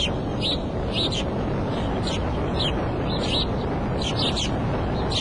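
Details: At the Decorah nest on an April 5 afternoon, a bald eagle gives shrill descending chirps in loose pairs and clusters, repeated throughout, with constant low hum and rushing background noise underneath.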